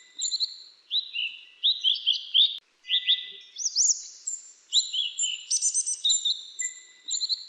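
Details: Grey-chinned minivets (Pericrocotus solaris) in jungle give thin, high, sweet chirps and upslurred whistles in quick overlapping bursts, as from several birds calling together.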